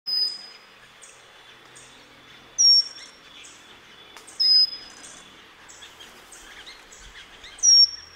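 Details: Pygmy wren-babbler singing at Sattal: a thin, high, pure whistled note, slightly falling, given about every two to three seconds, with faint chirps and ticks of other birds between the notes.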